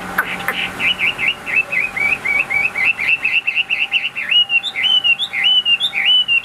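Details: Caged Chinese hwamei sings a steady chain of short, bouncy whistled notes, then shifts into longer rising whistles with upward flicks.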